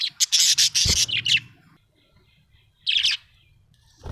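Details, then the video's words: Happy pet budgerigar chirping: bursts of bright, high, scratchy warbling notes in quick succession over the first second and a half, then quiet, then another short chattering burst near the end; a brief low thump in between. "Happy budgie chirping sound"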